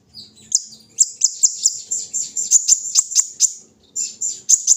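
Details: During morning dewing, a brown-throated sunbird repeats very high, sharp tick-like chirps at a quick, uneven pace, roughly two to three per second, over a faint low hum.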